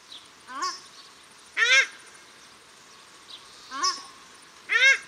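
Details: Male and female paradise shelducks at Cornwall Park in Auckland, New Zealand, trading harsh upswept honks, four calls in five seconds alternating softer and louder, over a constant faint hiss.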